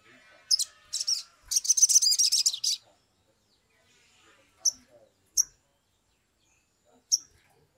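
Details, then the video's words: Sumatran leafbird in an agitated, lively original recording used as a lure to get birds singing quickly: a few piercing high chirps, a dense rasping trill lasting over a second, then single sharp notes spaced a few seconds apart. "pancingan sogok ontong atau SOGON biar cepat bunyi, suara asli"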